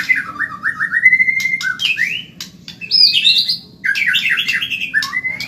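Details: White-rumped shama of the Medan type, a training recording for caged birds, sung fast and lively: a continuous run of clear whistled notes stepping upward, then higher sweeping phrases and rapid trilled bursts with brief pauses.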